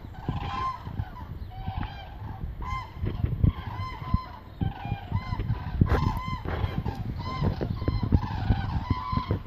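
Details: Hundreds of migrating common cranes flying south overhead at Meerssen, the Netherlands, 2:04 pm on 9 November 2014, giving loud, rolling trumpeted calls that overlap in quick bursts, over a steady low rumble of traffic.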